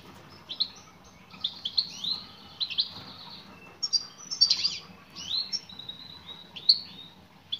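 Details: European goldfinch, a female calling to a male. Continuous bright twitter of high, slurred chirps in loose clusters, with the busiest burst near the middle.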